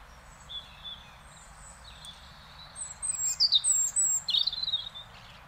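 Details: European robin singing in Beverwijk, the Netherlands: a varied, high, liquid phrase of thin whistles and rapid twittering notes, with faint low background hum.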